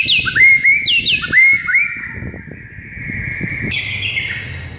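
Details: White-rumped shama song from morning training material for a mute caged bird: a few quick rising whistles repeated twice, followed by long steady high whistled tones over a low rumble.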